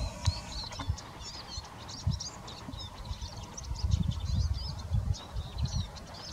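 A male Eurasian siskin sings a fast, unbroken high twitter of scratchy chirps and trills, over low rumbling wind or handling noise.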